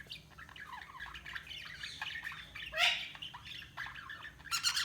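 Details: Budgerigars chirping: a busy stream of warbled, chattering notes and squawks, some harsh bursts louder than the rest, overlapping irregularly throughout with no clear rhythm.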